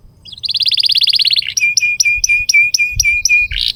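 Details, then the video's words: Canary song used to prompt young birds to sing: a fast buzzy trill of about twenty notes, then a rhythmic series of sharp notes with low steady whistles, bright and high. "Kenari GACOR PANJANG INI Cocok untuk Pancingan, Masteran KENARI PAUD dan Kenari Macet BUNYI"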